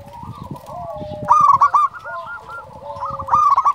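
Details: A local zebra dove calls eagerly. A low, muffled opening leads into a bright burst of quick hooked coos, then a softer rolling series and a final loud flourish.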